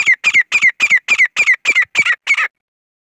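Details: Grey francolin (desi gora kohati teetar) giving a loud, harsh, grating call. About nine notes come at a steady, quick rhythm, roughly three to four per second, each with a squeaky falling whistle. The series then stops abruptly.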